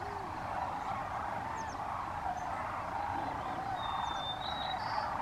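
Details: Sandhill cranes, with ducks, coming back to a California refuge for the night as the sun sets, recorded by iPhone: a massed chorus of rolling calls, with a long thin whistle and short chirps higher up.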